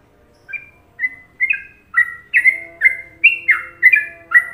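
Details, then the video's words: Yellow-vented bulbul, called trucuk in Indonesia, starting its Trucukan song softly and building into loud, bubbling whistled notes about every half second, with a faint low hum behind. "Masteran Trucuk Indonesia"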